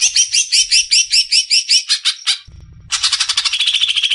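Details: Greater green leafbird (cucak ijo) in full song, performed to stimulate a novice bird: about a dozen sharp rising chirps in quick succession, a short break with low hum, then a dense, rapid buzzing trill.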